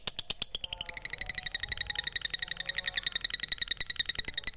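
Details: Lovebird pouring out a quick, rhythmic string of piercing, ringing chirps with layered overtones, steady and unbroken throughout.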